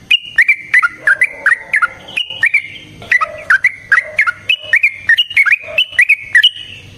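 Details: Sooty-headed bulbul song in the lively ropel variasi style, with nrotok and ngecuplik variations, used as a lure to get other bulbuls singing: bright whistled notes, many sliding downward, delivered in quick bursts of two to four with brief pauses.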